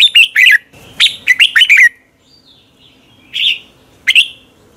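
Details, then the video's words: Red-whiskered bulbul singing in the morning, a decoy song used to train birds and push them into competitive singing: quick bright whistled notes in a rapid run, a pause, then two more sharp notes. "Luyện chào mào hót sáng Giọng chuẩn hay Để ép bổi căng hót, chào mào hót đấu"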